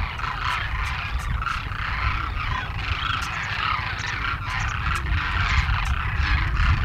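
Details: Huge wintering flock of about 12,000 demoiselle cranes foraging in fields near villages in Rajasthan, India, gives a constant overlapping chatter of croaking, trumpeting calls over a steady low rumble of wind or distant traffic.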